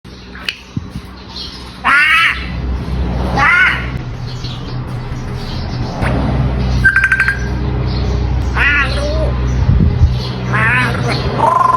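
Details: An African grey parrot, said to call for a bath all day, gives harsh, wavering squawks and speech-like phrases at irregular intervals.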